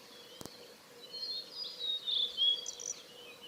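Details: Male blue-and-white flycatcher in song on 6 May 2015, Hayatogawa forest road, Lake Miyagase, Japan; after a sharp click, high thin whistles and short warbled notes build to a louder phrase near the end.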